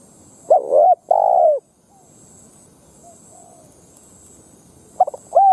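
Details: Spotted dove used as a ground lure bird to provoke wild doves into fighting: two loud, hoarse, bending coos, a gap with faint softer cooing, then a stuttered coo phrase returning near the end; faint high hiss above.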